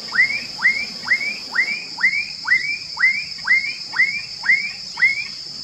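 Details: A Black-capped Donacobius, close by at a small vegetated lagoon in the Bom Jardim reserve, south Uberlândia, Brazil, gives loud upslurred alarm whistles about two a second over a continuous high insect drone.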